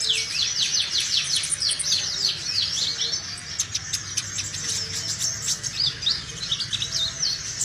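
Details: Sunbird singing vigorously, a recording used to attract other sunbirds: the clip opens with a fast series of high down-slurred sweeps, then moves into scattered sharp chirps and trills.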